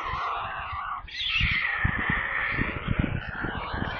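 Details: Hungry white stork young crying out in a nest near Kaluga, Russia, recorded by a nest camera: rough rasping screams, briefly dropping at one second, then a steady harsh chorus over soft low bumps.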